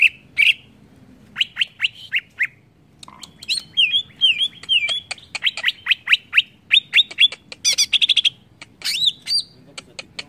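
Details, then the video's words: A greater green leafbird sings a varied, provoking song with rapid falling chirps, looping rising-and-falling whistled phrases, fast stuttered notes and a harsh burst, delivered in near-continuous lively runs. "BIKIN CUCAK IJO MANAPUN TERPANCING EMOSI"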